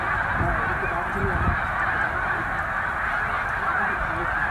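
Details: Snow geese, a migrating flock of about 100,000 at peak, resting at Middle Creek Wildlife Refuge on the way north to tundra breeding grounds; a dense, unbroken chorus of high, nasal honks with low rumbles beneath.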